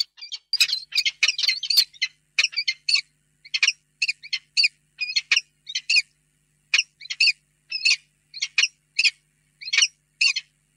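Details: Pair of peregrine falcons meeting in a nest box in the evening, late February 2022: a long run of sharp, high chittering notes in quick bursts, denser at first, then spaced about every half second.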